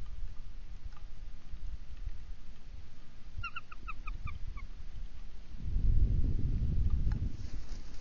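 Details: Bald eagle at the NCTC nest around 12:35 am on February 21, 2023, as the female lands to switch incubation duties, startling her mate. The pair has been on high alert after intruders. About seven quick, high chirping notes fall slightly in pitch, followed by rumbling wind and rustling.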